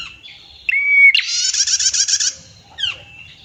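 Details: Female prinia used as a lure for other prinias: a sharp flat whistle leads into one long, rapid, buzzy trill, followed by a faint descending chirp.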